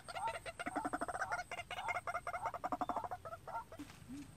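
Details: A decoy White-breasted Waterhen, trained to call on its own for trapping, gives a fast, uneven run of harsh, nasal croaking notes, tightly packed for about three and a half seconds, then a few spaced notes.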